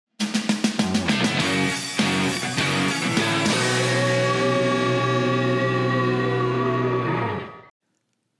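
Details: Drum kit and guitar music: rapid drum hits open the passage, then sustained chords play until it stops abruptly before the end. No animal sound is present.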